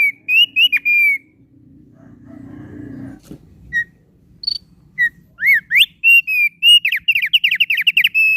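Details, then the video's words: Thick-billed heleia singing lively and melodiously: short bright whistled notes, some sliding up or down, open the phrase. After a quiet stretch with low hum and a single knock, a fast, stuttering run of clear whistles follows. "Suara Burung Opior Paruh Tebal Gacor Merdu"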